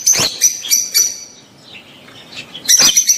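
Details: Rosy-faced and Fischer's lovebirds in mating chatter intended to stimulate the female to breed: a few quick shrill chirps, a brief lull, then a dense burst of high squeaky calls.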